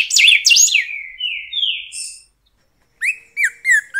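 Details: Song of a golden-billed saltator (pepitero): an opening burst of sharp sweeping notes runs into long, smoothly descending whistles. After a short pause comes a series of four brisk slurred notes.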